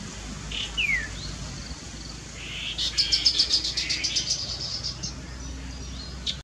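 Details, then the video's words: Chestnut-capped babbler call: a thin falling whistle, then a quick run of high, sharp chipping notes for about two seconds over a faint low hum. "Chestnut-Capped Babbler Call"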